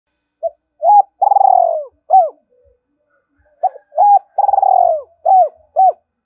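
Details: Decoy spotted dove calling in a 'two-ending' coo style, giving two phrases: short mellow hooting notes around a long, rapidly pulsed rattling coo, then arched hoots, with near silence between.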